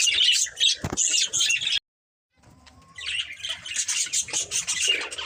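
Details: Busy high twittering from a breeding pair of budgies, broken by a sudden silent gap, then a faint drawn-out whistle before the warbling chatter builds again.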